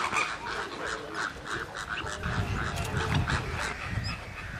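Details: A Magpie goose at Slimbridge gives a rapid run of loud, nasal honks, about three each second, over a low rumbling background.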